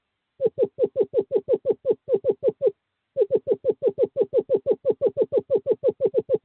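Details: Courting-season call of a male screech owl luring a female to nest box 5, 2/11/2023: a rapid even trill of soft hoots, a pause of half a second, then the trill resumes at the same pace.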